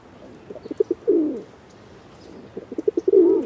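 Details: Pigeon cooing: a few short soft pulses leading into a longer, swelling throaty coo, the pattern heard twice in quick succession.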